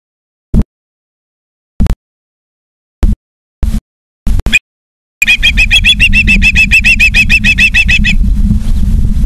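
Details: Ospreys at a nest in Charlo, Montana, on 28 August 2023 at 19:43: several sharp knocks, then a fast series of high, chirping whistled calls repeated several times per second for about three seconds.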